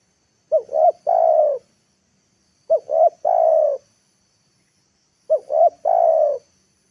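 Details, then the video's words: Decoy spotted dove calling to draw wild birds down to the ground, recorded in the afternoon; three clean phrases roughly two and a half seconds apart, each two brief upswept coos followed by a long smooth coo. "TEKUKUR PIKAT NEKAN,AGAR BURUNG LIAR TURUN TANAH"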